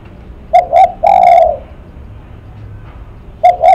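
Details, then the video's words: Spotted dove, a 'lắc mặt' cooer, giving loud, close cooing: two short rising coos, then a long mellow drawn-out note, and the phrase starting again near the end; quiet background. "Cu Gáy Lắc Mặt"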